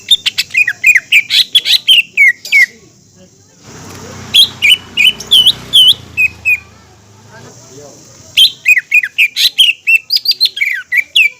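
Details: Green leafbird (cucak ijo) song used as a lure to stir other leafbirds into singing and excitement. Dense, rapid warbling phrases of slurred whistles, broken by a pause with low background rumble, then resuming just as fast.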